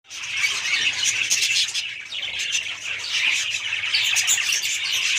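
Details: Budgerigars chattering together in a dense, continuous stream of high, scratchy warbles and squawks, with no pauses throughout.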